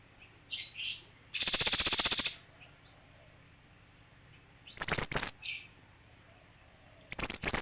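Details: Male kinoi delivering one long harsh rattle of rapid pulses, then two shorter clipped rattles, with quick high chirpy notes at the start and between bursts.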